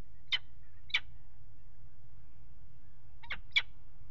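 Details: Peregrine falcon pair mating on the nest ledge at a water tower in Axel, Netherlands, 5 February 2018, nest box camera: four short, harsh calls in two pairs, with a low steady hum beneath.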